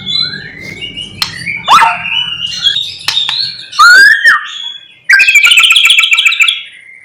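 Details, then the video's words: A white-rumped shama's varied morning song, full of imitated notes, used as a lure to excite other shamas: slurred whistles and chirps, then a fast stuttering trill of harsh repeated notes. "Pancingan MURAI BATU GACOR PAGI HARI supaya murai jadi EMOSI BUNYI Full isian"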